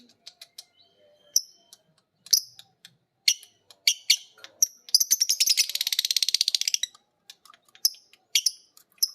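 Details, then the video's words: Pet lovebirds, one biola green and one PB Piet, practising ngekek from each other and from a master recording. Shrill chirps and clicks build to a sustained, rapid, rattling chatter of nearly two seconds, then more squeaks. "Burung Lovebird biola green vs Lovebird PB Piet❗saling belajar ngekek denger masternya bunyi."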